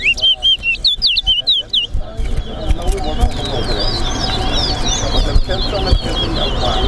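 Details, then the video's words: Chestnut-bellied seed finch (towa towa) at a bird whistling competition gives a fast run of sweet, high, looping whistles, then overlapping whistles with crowd chatter, counting and steady background noise. "TOWA TOWA BIRD WHISTLING COMPETITION"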